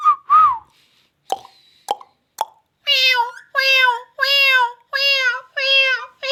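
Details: Rose-ringed parakeet talking: a few clicks and short notes, then six loud harmonic rasping syllables repeated about every half second, each with a steady stacked tone, sounding like repeated words.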